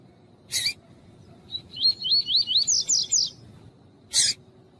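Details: Female seedeater of the coleiro tui-tui type calling to rouse a cold male: a harsh chip, then roughly ten quick swooping whistled notes climbing slightly in pitch, ending with another rasping chip.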